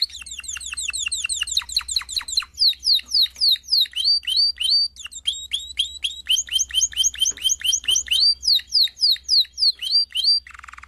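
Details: Domestic canary singing, from a complete 2016 song recording: quick descending chip series give way to looping whistled phrases repeated several times a second, changing tour every few seconds, with a brief buzzy note at the end.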